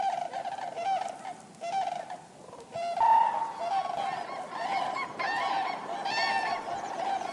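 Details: Overlapping calls of many common cranes, the chorus dipping briefly before a loud, pure bugle and then several bursts of rich, rolling trumpeting.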